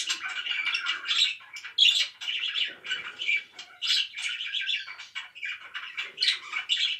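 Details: Pet budgerigars keep up a busy chirping chatter of rapid squeaky notes and buzzy warbles in uneven bursts, loud throughout.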